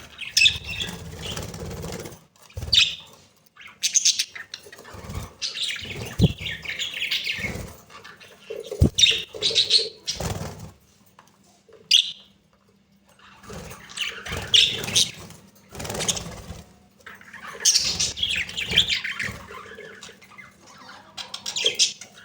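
Budgerigars chatter in bursts of high, scratchy warbles and chirps with brief pauses between.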